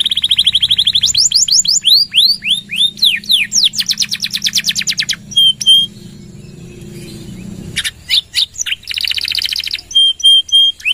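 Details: Canary in gacor style with long nembak runs, kept as a tutor and lure for other birds: rapid repeated high trills and sweeping whistled notes, a pause near six seconds, then buzzy bursts and clipped high pips.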